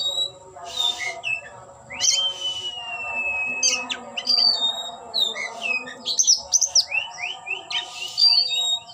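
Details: Displaying oriental magpie-robin, tail spread open, delivering a varied song of long drawn whistles, sliding notes and rapid chirpy clusters, loudest near the end, over a constant low humming background.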